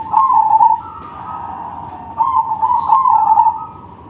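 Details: Loud manggung song of a crossbred zebra dove, played as a lure for other perkutut: an almost unbroken run of vibrating cooing notes that waver slightly in pitch and swell twice before easing off.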